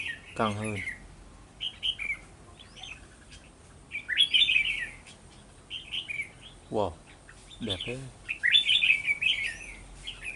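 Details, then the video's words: Red-whiskered bulbul used as a trapping decoy on 11 November 2018, with bright slurred chirping phrases interrupted three times by loud rattling mechanical knocks. "Bẫy chào mào"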